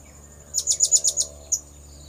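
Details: Blue-crowned hanging parrot lure sound for attracting birds, six rapid, very high, sharp notes in a row followed by one isolated note, over soft background hum.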